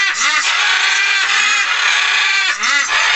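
Budgerigars chattering in a dense, continuous stream of scratchy, twittering notes, with a few lower arched squawks breaking through.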